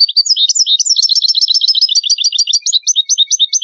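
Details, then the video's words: European goldfinch in full song, a dense unbroken stream of rapid, tinkling, high twitters and chirps. "Meilleur chardonneret , goldfinch song"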